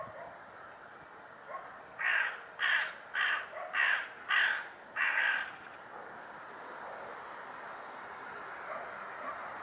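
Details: Hooded crow calling a run of six harsh, grating caws, evenly spaced about two-thirds of a second apart, then falling silent over a soft, steady background hiss.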